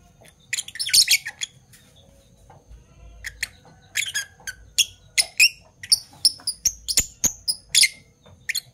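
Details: Two Fischer's lovebirds, Parblue Violet and Parblue Turquoise, chirp in the morning: a scratchy burst at first, then a lull, then a run of clearer, sharper tweets spaced about every half second.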